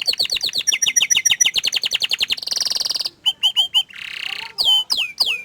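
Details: Canary song starting with a rapid series of sharp descending chips, then a buzzy trill, followed by spaced whistled notes and a few loud downward-sweeping calls.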